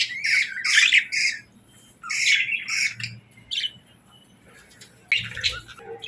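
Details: Happy pet budgerigars giving short bursts of raspy chirps and squawks, separated by quiet pauses, with a faint low hum behind.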